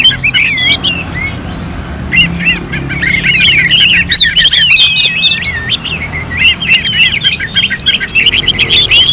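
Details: An Orange-headed thrush delivers a rapid stream of chirps and slurred whistles, roughly four notes per second, in uneven bursts that swell louder toward the end, over a low background murmur.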